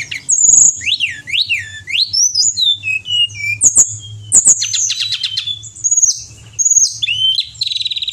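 A pied bushchat sings a rapid, varied stream of high whistled sweeps and buzzy trills, with notes swooping up and down several times a second. A faint low hum sits underneath.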